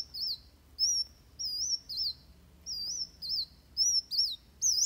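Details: High, wavering whistled phrases from a Van Hasselt's sunbird in fighting song, used to train birds. Thin looping notes repeat roughly every half second to a second, some with short trilled tails.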